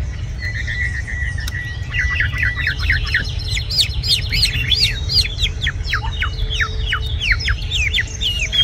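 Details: Caged red-whiskered bulbul singing: a short steady whistle, then a rapid run of sharp rising and dipping notes repeated many times, over a constant low rumble of background noise.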